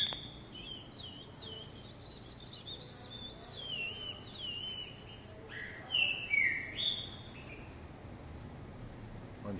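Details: Caged green-winged saltator hopping in a jumping cage during vigor training, singing short whistled phrases that slide up and down, repeated through the recording over a steady background hiss, with a man's voice urging it on.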